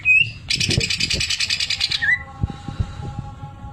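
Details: A greater green leafbird sings with sewing-machine ('mesin jahit') fill: a brief high whistle, then a harsh, rapidly pulsing buzzy rattle of about fifteen beats, ending in a short rising whistle over a steady low hum.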